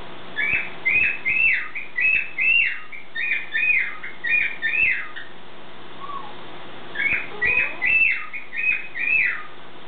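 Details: Indoor pet bird's morning song: two long runs of evenly spaced arched whistles, about eight notes then five, each note swooping up and falling, separated by a brief quiet gap with soft low notes.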